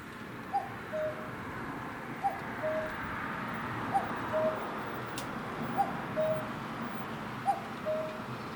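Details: Common cuckoo calling from a pole beside a garden in late May afternoon; five repeated two-note cuck-oo calls, falling from a brief higher note to a steadier lower note, evenly spaced over a soft broad background hiss.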